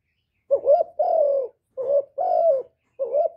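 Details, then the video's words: Spotted dove cooing, recorded directly and free of noise, meant to rouse decoy birds: mellow low notes, a wavering short coo followed by a long even coo, heard twice, then another short note. "TIẾNG CHIM CU GÁY KÍCH MỒI RẤT HIỆU QUẢ, CU GÁY KÍCH TRỐNG CỰC HAY"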